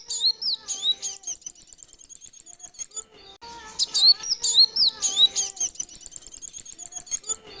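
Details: Male Van Hasselt's sunbird kept in a cage as a lure to draw in wild birds, delivering piercing high chips and long, rapid trills of tiny ticks, bursts separated by a brief lull and returning strongly.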